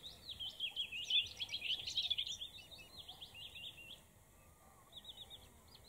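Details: A Eurasian blackcap, from a male and female pair, sings a fast, scratchy warble of varied high notes for about four seconds, then a few faint notes over quiet hiss. Recorded 4 September 2019 in Kherson Oblast, Beryslav district.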